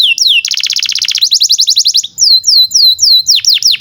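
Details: Domestic canary singing hard, used as a tutor for young birds: a few looping whistles, a rapid buzzy trill, a quick high chatter, then slower swooping notes in sequence.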